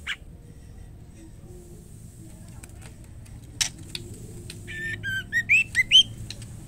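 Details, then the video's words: After several seconds of near quiet with scattered clicks, a female white-rumped shama calling the male gives a quick series of short harsh, upslurred squawky notes. "murai batu betina gacor memanggil jantan white rumped shama"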